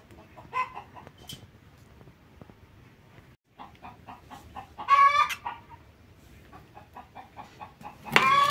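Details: Lovebirds kept as pets, giving a series of short rough chattering notes that build into two louder harsh screeching bursts near the end.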